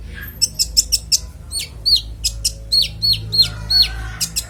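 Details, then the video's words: Kolibri ninja sunbird singing a full, varied song in a clear voice, used as master audio to train songbirds: rapid high thin chirps and downslurred whistled notes, about three per second, with a low steady hum behind. "Konin bongkar isian suara jernih"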